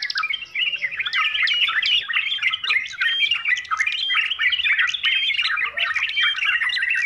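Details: Noisy sooty-headed bulbul song, a recording suited to beginners and to tutoring trained birds: continuous jumbled, bubbling whistles and squeaky notes, tightly packed and overlapping, with brief upslurred chirps.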